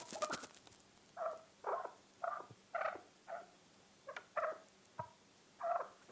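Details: Chukar partridge giving spaced, soft clucking chuk notes, about one or two per second with uneven gaps, over a quiet background after a brief burst of noise at the start.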